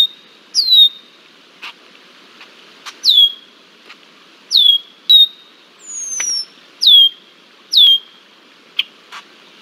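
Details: Harassing a bald eagle at Decorah, Iowa, on 20 July 2023, a red-winged blackbird gives piercing downslurred whistles at uneven spacing, with one rising-then-falling slurred note. Occasional sharp clicks punctuate the quiet background.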